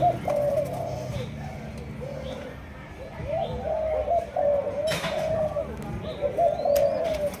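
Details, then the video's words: Captive Malaysian-line spotted dove, two months old, bred for the 'chiêu gù chạy' running-coo style: a run of mellow low coos repeated in quick succession, with brief pauses and some indoor background noise. "Cu Gáy Malaysia, Dòng Chiêu Gù Chạy"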